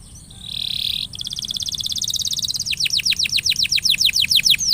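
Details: Canary singing as a lure for a quiet canary: a steady buzzy tone, then a fast even rattling trill that gradually turns into a run of sharp, steeply dropping whistles repeated about four per second.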